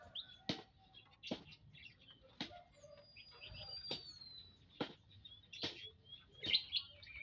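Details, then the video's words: Munias in an aviary, a mixed gathering of emprit birds, observed on 19 April 2025: soft high chirps and short peeps scattered among repeated sharp clicks or wing flutters, with a faint thin whistle drawn across the middle. "Kumpulan Burung - Burung Emprit"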